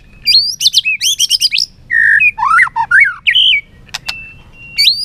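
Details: White-rumped shama in a singing contest, flicking its tail: quick high trilled notes, a flat whistle, dipping and rising slurred phrases, and a thin sustained high tone near the end, with sharp clicks.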